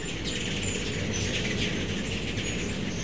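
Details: Migrating ruby-throated hummingbirds, mostly immatures, gathered at backyard feeders in Starkville, Mississippi, in mid-September 2012; short, very high chip notes scattered through a steady low rumble and broad hiss.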